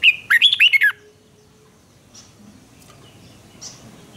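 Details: Red-whiskered bulbul singing in a duel-style song session: one quick burst of about six loud, warbled, rising and falling whistled notes in under a second, then near silence with a few faint distant chirps.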